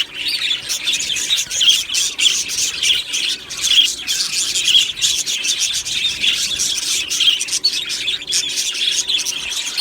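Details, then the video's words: Colony of Australian budgie parrots kept in an aviary, 1 July 2025: steady pulsing chirps and warbles from many birds, high-pitched and overlapping without a break. "beautiful Budgie birds chirping sounds"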